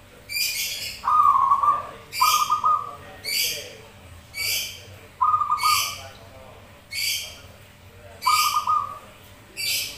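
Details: Zebra doves trading rolling, trilled coos in reply to one another, used as a lure recording to get other doves singing. Sharp, high, hissing bursts repeat about every second throughout the cooing.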